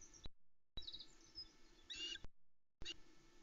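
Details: Three Osprey chicks at Loch Arkaig on a July 2020 dawn, calling excitedly while the male arrives with a whole trout, the first fish since midday before. Sharp, high squeaky bursts, one strong harmonic-rich outburst near the middle, with low background hum.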